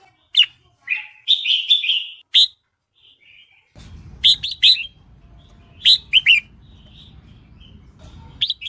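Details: Lure song of a female red-whiskered bulbul, used to provoke males into dueling song. It opens with a rapid run of rich warbled whistles, goes quiet, then resumes with short two- and three-note bursts over a soft background hiss.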